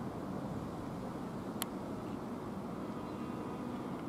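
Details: Constant low background noise like distant traffic or wind, broken by a single sharp click.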